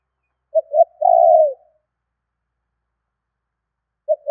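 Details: Spotted dove calling to draw in wild birds: short coo, second short coo, then a long level coo dropping at its end; a new phrase begins just before the close.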